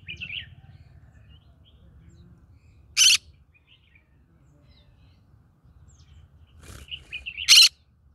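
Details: Green-cheeked conure singing where it lives in a rice field: brief warbled chirps, then a single harsh, loud squawk, more soft chirping, and a second harsh burst near the end, with faint low background hum.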